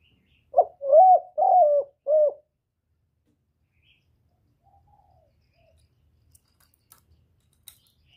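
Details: A spotted dove, recorded directly and free of noise, gives a quick burst of four low coos. The notes are short and hollow, with the middle two longest. Near-silence follows, broken only by faint clicks and ticks.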